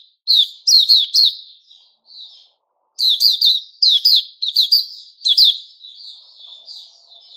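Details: Puteh Raja white-rumped shama singing on 29 August 2021: quick clusters of sharp, high chirps, a pause near the middle, then more clustered chirps fading into soft, drawn-out warbling notes.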